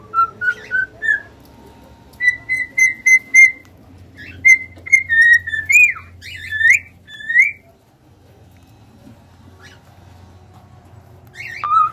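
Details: Cockatiels singing: a run of clear whistled notes, short rising phrases then sustained level whistles with a few downward-bending slurs, pausing mid-clip before a final rising whistle; faint low hum underneath.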